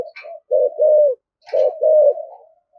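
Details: Spotted dove giving an eager, intense coo in the rustic style: two loud phrases, each a short note followed by a long, low, steady coo, about a second apart, with brief higher chirps between.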